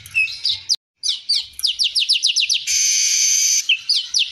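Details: Caged streaked weaver (manyar kembang) singing vigorously in 'full isian' style, a song filled with learned phrases: rapid high chirps and slurred notes repeated in quick series, then about a second of loud harsh buzzing, then more chirps.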